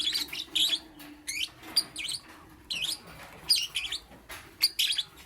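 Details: Lovebird chirping in the morning, wavering squeaky notes that swoop up and down, delivered in short clusters about every second, loud and shrill.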